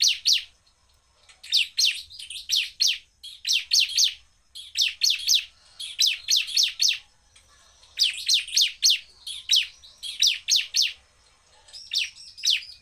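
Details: Bar-winged prinia in fast, emotional song aimed at provoking other prinias: short clusters of three or four sharp, high downslurred notes repeated roughly every second, with brief gaps.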